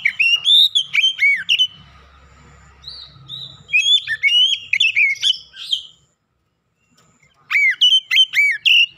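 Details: Oriental magpie-robin singing clearly as a lure to get other magpie-robins singing: rich varied whistled phrases with rapid chirps and slurred notes, in three bursts separated by short pauses, faint low hum underneath.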